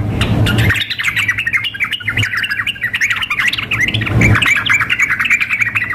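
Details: Female sooty-headed bulbul calling to a male, combined with a lively, aroused male as in a singing contest: busy runs of short chirpy notes, layered and continuous, over low background rumble.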